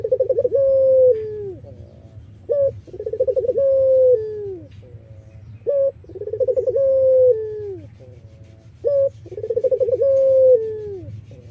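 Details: Collared dove, Iraqi variety, whose song is used to draw in other doves: four regular phrases, each a clipped first note, then a vibrating pulsed coo and a long descending tone, roughly every three seconds.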